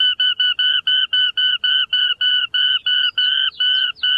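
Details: Grassland rail, rarely seen, from Costa Rica to southern Brazil, delivering a long string of clipped, evenly paced notes at one level pitch, with a few slurred notes creeping in near the end.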